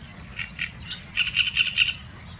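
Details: Great reed warbler, a bird of reed beds and sedges, giving its loud, multisyllabic, harsh, croaking and rattling song: a few rough notes, then a quick run of four grating syllables about a fifth of a second apart.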